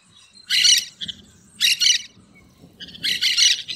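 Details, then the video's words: Green parakeets calling in the wild: three loud, harsh, raspy screeching bursts, each about a third to half a second long, spaced roughly a second apart over a quiet background. "Periquito Cantando na Natureza"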